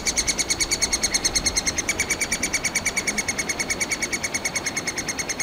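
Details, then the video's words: Three-toed woodpecker (Picoides tridactylus) nestlings in a tree hole in Kalinovsky forest park, Yekaterinburg, crying for food that both parents bring all day; a rapid, very regular stream of high, harsh squeaky notes, about six per second. "Птенцы ТРЕБУЮТ ЕДУ, Трехпалый дятел"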